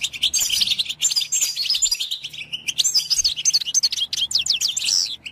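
Goldfinch song: a fast, unbroken run of bright, tinkling twitters with quick rising and falling notes, high-pitched and lively throughout.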